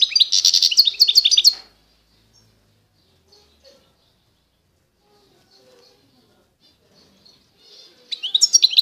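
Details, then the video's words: European goldfinch of the Constantine type from eastern Algeria singing a fast, twittering burst of high, tinkling notes for under two seconds, then near silence before another bright twittering phrase begins at the end. "تغريد الحسون القسنطيني الاصيل (حسون الشرق الجزائري)"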